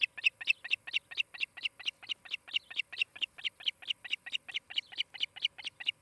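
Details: Osprey calling at its nest in Charlo, Montana, late morning of 23 July 2018, captured by a nest camera: about twenty-five shrill, slightly squealing chirps in quick, even succession, some louder peaks near the start.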